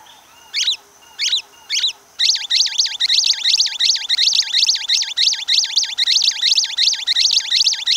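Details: Orange-fronted yellow-finch, known in Brazil as the Amazonian canary: three separate high chirps, then a fast, steady run of sharp, high, up-and-down notes repeated several times a second over faint background hiss.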